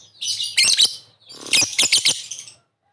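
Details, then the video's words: Lovebird calling with harsh, buzzy chattering bursts in two runs over about two and a half seconds, used as a lure to prompt a quick response from other lovebirds; ngekek-style chatter, no other sounds. "Suara burung Lovebird memanggil di sertai ngetik ngekek pancingan labet cepat respon"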